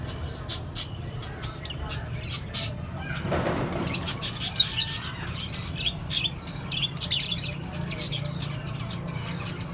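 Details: Lovebirds, cockatiels and budgerigars kept together in a colony setup, giving dense high chirps and tweets throughout over a steady low hum, with a brief rushing noise burst near the middle.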